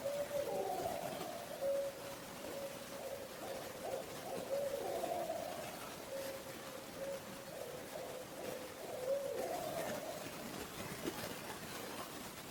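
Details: Barred Owl giving drawn-out, wavering screams that lift at the start, repeated roughly every four to five seconds over a steady background hiss from a failing mic; a juvenile is present.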